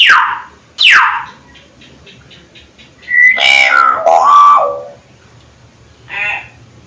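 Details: Hill myna giving two sharp, loud whistles sliding steeply downward, then a run of warbled, wavering notes that rise and fall, ending with a brief nasal note.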